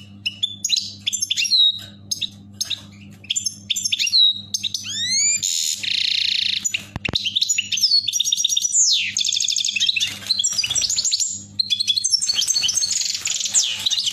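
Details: Goldfinches mating inside a cage give a long, lively song of rapid tinkling twitters, rising slurred whistles and harsh buzzy trills in quick succession, almost without pause, over a faint steady low hum.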